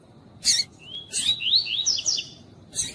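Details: A female Lined seedeater (Sporophila lineola) calls to stimulate a male, giving high, thin chirps and quick rising-and-falling whistled slurs, with brief buzzy bursts at the start, middle and end.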